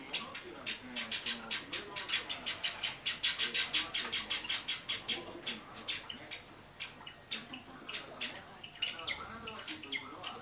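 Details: Java sparrow chicks aged 30 and 32 days, January 2012, give rapid, scratchy high chirps, about three per second, ending in thin whistled peeps. Quiet talking murmurs underneath.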